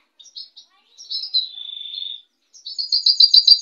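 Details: White goldfinch: a few short chirps, a drawn-out slurred whistle gliding lower, then a fast, even, pulsed high trill.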